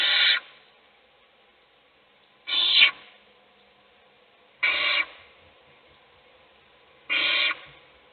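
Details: Nest-box owl chick being fed by a parent while its siblings sleep; four rasping, breathy hiss bursts spaced roughly two to two and a half seconds apart, otherwise quiet.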